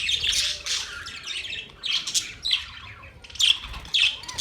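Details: Pet budgerigars chirping in harsh, buzzy bursts with short gaps, some notes sliding down in pitch, and louder sharp squawks near the end.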